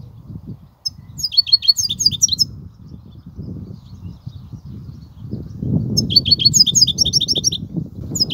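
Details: European goldfinch singing the kobia style of song: two bursts of rapid, high, tinkling twitters, each lasting about one and a half seconds, separated by a pause, over a constant low rumbling background noise.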